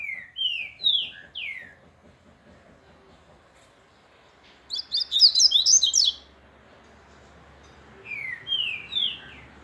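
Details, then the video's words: Seedeater in grego de Minas song style: phrases of three or four bright descending slurred whistles, with a dense, jumbled high twittering burst in the middle and further slurs at the end. "Papa capim grego de minas"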